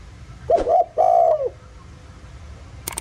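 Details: A 'giọng thổ' spotted dove phrase for luring other doves: a quick two-part coo, then a long smooth coo falling away, followed by quiet and a sharp click near the end.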